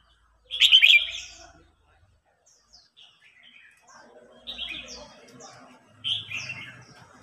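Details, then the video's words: Singing duel of red-whiskered bulbuls, a mature wild-caught bird challenging a young bird; a loud opening warble followed by softer chirped notes and two further bright phrases, with faint low rumbling underneath. "Chào mào hót đấu.Rừng già chinh phạt bổi non.bổi non ức chế lên lửa"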